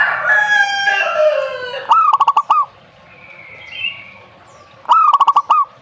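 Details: Zebra dove giving two short trilled cooing phrases, each a rising note followed by five or six quick staccato pulses. A loud rooster-like crow with rich harmonics fills the opening two seconds.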